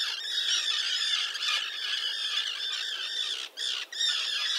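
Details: Small colony of common terns with chicks, nesting on concrete by a mole off Liepāja, Latvia, in June 2024. A near-continuous wall of overlapping shrill, rasping cries with two brief pauses near the end.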